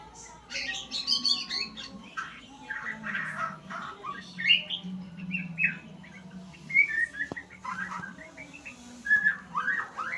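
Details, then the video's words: A white-rumped shama learning sounds gives a rich, varied song: bright whistles, short chattering runs and sharp high notes in irregular bursts over a faint steady low hum. "Murai pastol belajar Bunyi"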